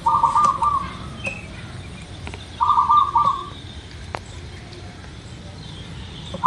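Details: Local-type zebra dove singing, used as a lure to make birds sing quickly: two low, rolling cooing phrases of rapid stuttered notes, each under a second, spaced about two and a half seconds apart, over steady background hiss and faint clicks.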